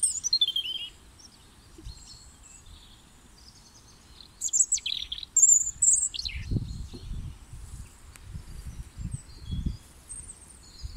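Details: A European robin sings in February 2021, early spring, in thin, high warbled phrases of sweet notes and trills with pauses between, over low rumbling background noise.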